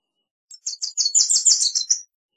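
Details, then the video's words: Wilson's warbler uttering a brief run of high, slurred chips, about ten notes tumbling together over roughly a second and a half, in a quiet setting. "Wilson's Warbler Song! Wilson's Warbler Call! Sound!- Reinita De Wilson Canto - Cardellina Pusilla"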